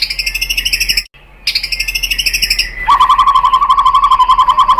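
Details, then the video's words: White-rumped shama lure song meant to provoke other birds to answer and sing: fast rattling series of harsh, rich notes, a brief break, then a long, steady, rapid churring rattle. "SUARA MURAI BATU bikin EMOSI NYAUT jadi GACOR BONGKAR MATERI ISIAN ¦ PANCINGAN MURAI"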